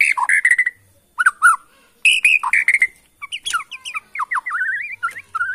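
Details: Borneo white-rumped shama sourced from Kalimantan forest, singing to excite other shamas: rich fluting whistles in short bursts with pauses, then a long string of quick warbled, wavering notes.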